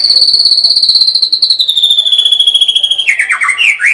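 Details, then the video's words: A shama's machine-gun style 'tembakan' trill: a fast, even, high-pitched rattle slowly dropping in pitch for three seconds, breaking into quick lower whistled slurs at the end. "kicau murai batu gacor full tembakan"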